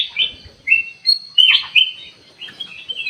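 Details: Sooty-headed bulbul song used as a lure to provoke a response from other birds: bright, chirpy whistled phrases, short rising and falling notes in quick uneven bursts, with faint low background noise.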